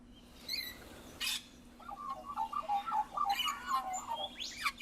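An Australian magpie sings a run of rich, gurgling warbles with harsh noisy bursts and a rising squeal at the end, over a low electrical hum.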